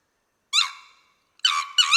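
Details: Sri Lanka Junglefowl, a species endemic to Sri Lanka, giving a harsh, reedy note that trails off, then after a pause two loud, clipped notes in quick succession.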